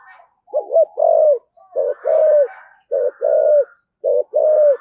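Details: Cooing spotted dove, song style known as thổ sấm, low mellow double coos, each pair a short note followed by a drawn-out level coo, repeated regularly, with faint higher chirping in the background.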